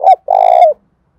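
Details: Spotted dove, Đồng Thổ voice, calling to provoke a rival male. A single loud phrase: a short dipping note, a brief pause, then a long, steady, rich coo that falls slightly at the close.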